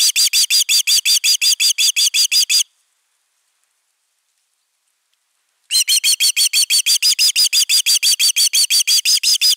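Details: On 31 August 2021, an osprey defends nest #3: rapid, regular shrill whistled cries for over two seconds, three seconds of silence, then the same insistent series resumes to the end.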